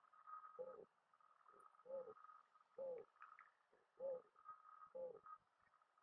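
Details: Mourning dove giving low, mellow coos, six or so muffled hoots at irregular gaps of about a second, some weaker, against a quiet steady background hum.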